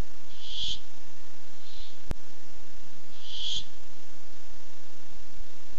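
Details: Barn owl seeking food, 8-7-15: two strong breathy screeches about three seconds apart with a weaker hiss between them and a sharp click.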